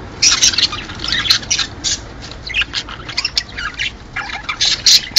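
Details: Budgies chattering, a recording meant to encourage breeding: harsh, buzzy squawks and short chirps in uneven bursts, several birds overlapping.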